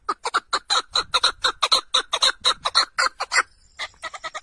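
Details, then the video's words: Partridge giving a rapid series of harsh, grating notes, about four per second, steady for three seconds, then a short pause and a few quicker, softer notes. "Perdrix Sound High quality"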